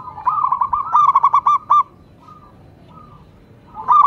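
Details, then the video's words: Local zebra dove singing (manggung); a rolling series of low, hollow coos pulses rapidly and stutteringly for about two seconds, followed by a few faint soft notes, then another coo phrase begins at the end. "cukup sekali dengarkan perkutut lokal ini manggung"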